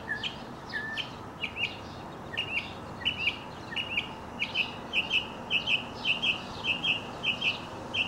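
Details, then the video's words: Male mockingbird singing while leaping up and tumbling in a display kept up for long periods; clear whistled chirps near the upper-middle range, repeated in a steady run about every half second, getting quicker and more regular toward the end. "Mockingbird Song and Dance Routine"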